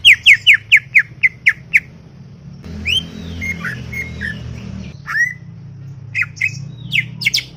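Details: Talkative greater green leafbird in a garden: a regular burst of about seven sharp downslurred notes, then softer scattered whistles in background noise, ending with loud varied chips.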